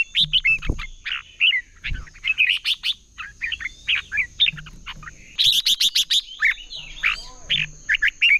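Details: Red-whiskered bulbul in competitive singing, used to train birds to sing: nearly continuous cheerful warbling phrases, a rapid train of sharp chirps at mid-clip, soft thumps and a constant high thin whine in the background.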